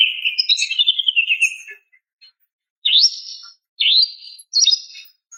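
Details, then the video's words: Female greater green leafbird calling to a male: a long wavering warbled phrase that slides downward, then three short upswept chirped notes after a pause. "SUARA BETINA MEMANGGIL JANTAN"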